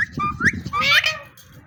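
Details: Male Indian ringneck parakeet, a pet playing and having fun, talking in short speech-like low babble mixed with bright rising whistled squeaks, loudest around the middle before trailing off quietly.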